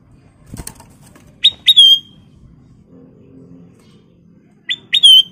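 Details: Sooty-headed bulbul gives two bright, bubbly whistled phrases about three seconds apart, each two quick notes sliding into a longer clear whistle. A brief flutter or thump comes early on.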